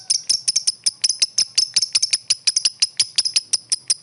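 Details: Lovebird calling to its rival: a steady stream of sharp, high, clicking chirps, roughly two a second, some in quick pairs, over a faint low background hum.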